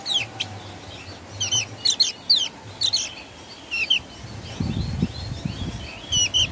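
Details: Javan grey-throated white-eye singing in the ngeplong style: scattered sharp, high chirps and short rising notes in loose bursts, with a low rumble of background noise underneath.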